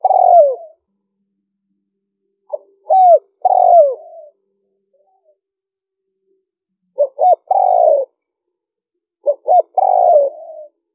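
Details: Liêu ròng cooing of a spotted dove, played to draw in wild doves. Several phrases of quick clipped notes, each ending in a drawn-out descending coo, with pauses of about two seconds between phrases. Nothing else is heard.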